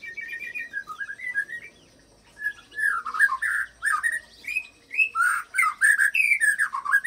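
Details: White-rumped shama song packed with imitated cililin phrases and long canary-style rolls, used to provoke other fighter shamas into singing; loud whistled and chattering notes that rise and fall in quick bursts, with short pauses between runs.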